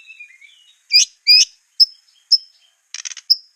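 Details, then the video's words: Sparse master song of a white-rumped shama in competition style: a few soft falling whistles, two loud doubled chirps, single sharp high notes spaced about half a second apart, and a brief rattle. "Masteran murai batu ful tembakan kicau prestasi jernih mudah di tiru"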